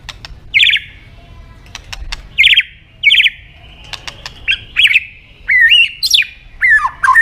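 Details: White-rumped shama song played to encourage other birds to sing: spaced harsh buzzy bursts with clicks between, followed by rich slurred whistles rising and falling, quiet background.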